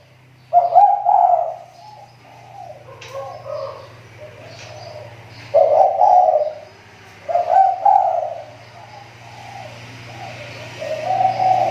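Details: Spotted dove used as a lure bird, its calling recovering: throaty, rolling coo phrases in four bursts spread with quiet spells, over a low steady hum.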